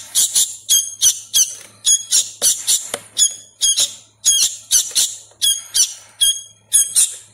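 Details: Sooty-headed bulbul nestling being hand-fed, still learning its voice, gives a rapid, insistent run of harsh grating squawks, mostly paired, two or three per second, with a faint background hum.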